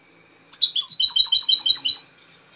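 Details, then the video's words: European goldfinch (jilguero) singing in the Málaga cobia style: one fast, liquid twittering phrase of about a dozen bright, slightly buzzy notes lasting a second and a half, loud and clean against a quiet indoor background. "Jilguero cantando Cobia Málaga"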